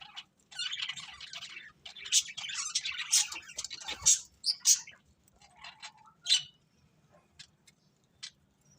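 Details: Budgerigars eating and singing contentedly: busy, scratchy warbled chatter in the first half that breaks into scattered sharp chirps and short squeaky bursts, with a faint low hum underneath.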